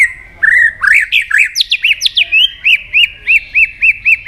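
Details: Competitive song of a white-rumped shama with many voices and tail flicking: a rapid tumble of varied whistled notes, then a steady series of about seven short, arched, ringing notes repeated every third of a second.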